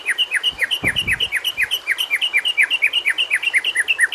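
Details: Training song of a white-rumped shama, used to get quiet shamas singing: a fast repeated two-note whistle, a bright upper note dropping to a lower one, about three per second, with faint thumps early on.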